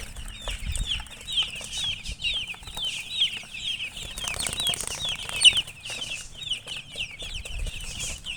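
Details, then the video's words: A group of baby chicks keeps up a steady chorus of short, high, downslurred peeps, many overlapping at once, over faint rustling and light tapping. "Baby "Chicks Chirping" Sound"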